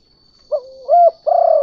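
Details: Spotted dove lure call of the 'kuk 2' type meant to draw in other doves: a short coo, then a bent rising note, then a long steady throbbing coo, with a faint constant high hum behind.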